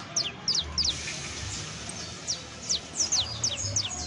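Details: Sparse professional song from a saffron finch (canario criollo): pairs of sharp descending chirps separated by short gaps, with a faint whistled note between; low hum in the background.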